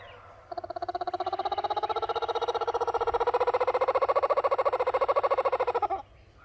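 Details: A kookaburra in Australia, perched on a camera in a garden, gives a loud, rolling laugh: a rapid, steady stream of throaty, chuckling notes sustained for about five seconds before breaking off abruptly.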